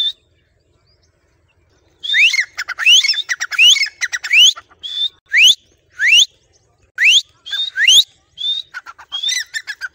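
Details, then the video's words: A tame, trained grey francolin answers its owner's whistle with loud, shrill, rising whistled notes in rapid repeated phrases after a brief silence. "teetar ki awaaz | francolin voice"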